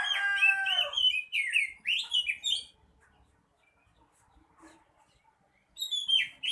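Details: Oriental magpie-robin in vigorous, full song: a rich burst of layered whistled notes, then quick slurred phrases sweeping up and down, a pause of about three seconds, and another bright, high phrase at the end.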